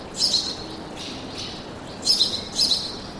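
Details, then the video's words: Birds in a forest giving four quick, thin, very high chirps, two early and two close together near the end, over faint background noise. "Пение птиц в лесу"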